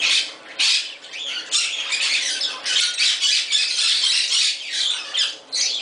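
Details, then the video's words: Harsh, ear-splitting shrieks from a male Moluccan cockatoo kept in a Summerville, South Carolina bird shop, with long raspy screams broken by brief pauses, echoing in a small indoor room. "Moluccan Cockatoo having fun"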